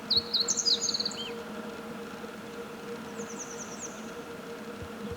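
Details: Wild meadow bunting singing: a quick, high twittering phrase of short clipped notes lasting just over a second, then a fainter, shorter phrase of similar notes a couple of seconds later, over a steady low mechanical hum.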